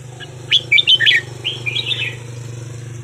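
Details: Red-whiskered bulbul from Vietnam, kept caged, small and aged ten-plus, delivers a brisk run of sharp whistled notes followed by a softer slurred warble, with steady low engine-like hum behind.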